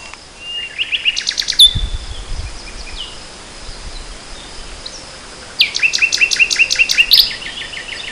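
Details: Nightingale song from spring 2014: an opening phrase of rapid, buzzy repeated notes and a sharp whistle, a softer pause with a low thud, then another fast, pulsing trill.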